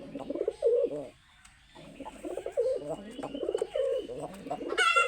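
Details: Tame domestic pigeon sitting on a person's hand, giving low, throaty rolling coos in repeated bursts with a short pause, while a man talks over the calls.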